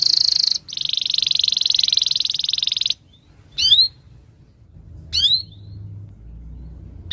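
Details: Canary song: a dense buzzy trill in the first three seconds, then silence broken by two brief sharp down-slurred notes around four and five seconds, with a faint low hum beneath.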